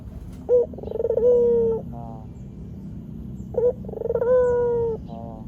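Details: Two coo phrases from a white Barbary dove meant for tutoring and trapping use: each opens with a clipped note, breaks into a fast throaty rattle, then holds a long level hooting tone before dying away.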